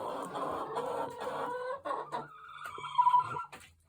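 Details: Backyard flock of thirteen hens of mixed breeds on a small farm, squabbling: dense harsh squawking clucks for two seconds, then a sustained tonal cackle and a few loud sharp notes.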